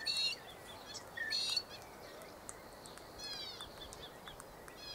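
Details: Galahs feeding on seeds in the late afternoon, filmed 23 November 2013; short, harsh, screechy calls rich in overtones come in three separate bursts over a few seconds, over a steady outdoor hiss and faint chirps.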